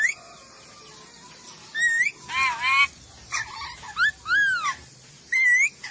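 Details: Sulawesi ornate lorikeet mixing clear rising and arched whistles with harsh, buzzy screeches in a varied sequence of short bursts.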